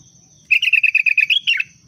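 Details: Sooty-headed bulbul song used as a booster sound for caged birds: a fast, even trill of about a dozen bright notes, ending in a short descending twitter. A steady thin high whine runs underneath.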